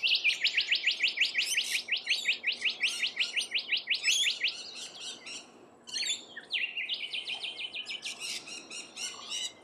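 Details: Rainbow lorikeets feeding in the Australian wild: a fast run of shrill, scratchy chirps repeated almost three times a second, a brief pause near six seconds, then a second, softer rapid series.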